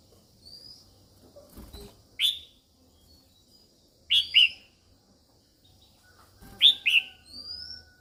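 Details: Female red-whiskered bulbul calling to stimulate males: three bursts of loud, downward-slurred paired notes about every two seconds, each preceded by a faint thin high whistle, in a quiet setting.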